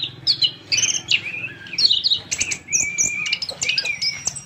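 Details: Orange-headed thrush, known locally as punglor kembang, a bird kept for sale, giving a long song of quick varied whistled and chirping phrases, some notes sliding down, others rising, with a soft low hum underneath.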